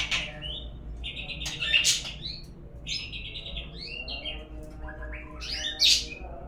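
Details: Shama lure song for coaxing birds to sing: rich warbled phrases of fluting notes that swoop up and down, punctuated by loud sharp clicks.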